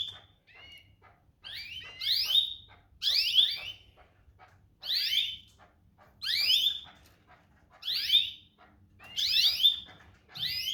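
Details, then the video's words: Domestic canary repeating bright, downward-sweeping chirps roughly every one to one and a half seconds across about ten seconds. A few softer, flatter notes open the sequence. "domestic canary birds"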